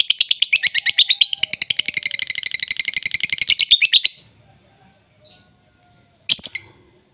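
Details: Lovebird song used to provoke a bird that has stopped singing into answering: a dense, rapid, harsh chattering trill for about four seconds, then silence and a short burst of squeaky notes.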